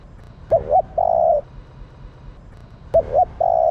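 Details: Female spotted dove calling to stimulate males. Two cooing phrases about 2.4 seconds apart, each a quick doubled hooting note followed by a long, steady, mellow coo, over a quiet low hum.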